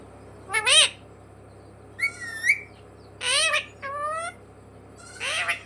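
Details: Pet parrot mimicking "mummy papa": scattered short voice-like syllables and a wavering whistled note, over a steady low electrical hum and background hiss.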